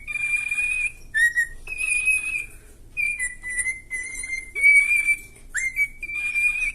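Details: Cockatiel whistling the tune Let It Go: clear, pure whistled phrases holding steady notes with short slides and quick upward swoops, separated by brief pauses, with no backing music.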